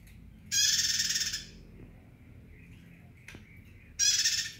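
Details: Bar-winged prinia in lively song: two loud, dense buzzy bursts about a second long, rich in high overtones, separated by quiet gaps with faint clicks.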